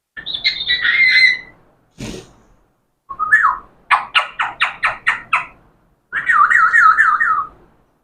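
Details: Parrot that talks gives a bright overtone-rich whistle, a sharp click, a rising squeak followed by seven rapid harsh repeated notes, then a long fast-wavering whistle.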